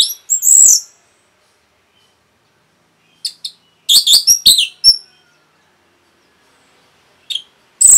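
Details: Orange-headed thrush in rapid, dense song meant to stir other birds into singing: high, sharp chirped notes in short bursts separated by gaps of silence, with a scratchy, twittering burst near the middle.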